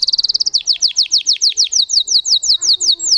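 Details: A singing Russian canary opens with a very fast high trill, then slows into rhythmic falling notes repeated about four times a second.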